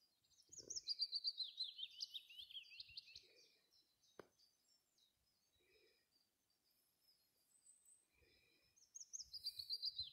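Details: Willow warbler singing close by, wind-blown: a descending, liquid warbled phrase opens the recording, then a quieter pause with a click and faint rustling, before another falling phrase begins at the end.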